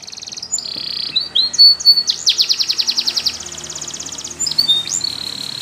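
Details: Spanish Timbrado canary singing a fast, high, metallic training song: rolling trills, a rapid run of clicking notes and bright whistled phrases, nothing else heard.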